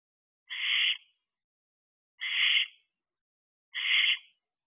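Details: Wild barn owlets around fourteen weeks old, still at their owl box on 11 July 2023: three evenly spaced, noisy screech-hisses, each about half a second, roughly one and a half seconds apart.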